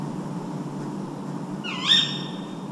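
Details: A tawny owl in a city nature park in Vannes, Brittany, at 4 a.m. on 14 April 2023 in spring gives one sharp, shrill, slightly bending half-second cry over a steady low hum of distant city noise.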